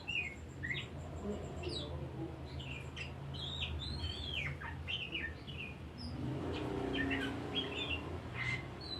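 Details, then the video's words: Oriental magpie-robin song used as a decoy to rouse other birds into singing: varied slurred whistles and short bright phrases in an irregular sequence over a loud rumbling background noise. "PANCINGAN BURUNG INI BIKIN BURUNG LAIN NAIK DARAH"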